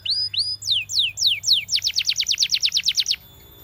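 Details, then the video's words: Belgian canary song for canary training: two upslurred whistles, a handful of slow descending sweeps, then a quick, regular run of falling notes that stops abruptly. "Belgian Canary Sound That Every Canary Loves"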